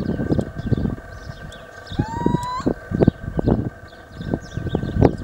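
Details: Little owl, the smallest raptor of the Benelux, filmed in the wild gives one clear, rising whistled note, with heavy low thumps like wind or handling noise and a steady hum throughout.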